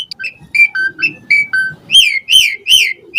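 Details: Asian pied starling song full of fill-in phrases, a lure meant to make other starlings answer: mixed short whistles at changing pitches, followed by three loud arching whistled notes.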